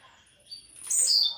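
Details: A captive young Blue-black grassquit from Jacarepaguá, Rio de Janeiro, caught about two months ago and not yet in its season, gives its jump song: one brief, very high, buzzy note with a sharp, scratchy start over faint hiss.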